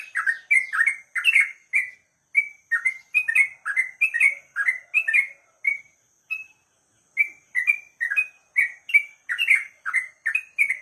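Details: Ruddy-breasted crake in a long, emotional calling run that draws rivals into calling: bursts of quick, sharp whistled chirps at about three per second, with one short pause midway before resuming.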